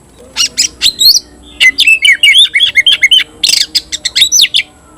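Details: Oriental magpie-robin kept as a cage bird, giving its 'tayoraky' variant song. Scratchy notes lead into a lively, nearly continuous series of warbled whistles that wobble up and down.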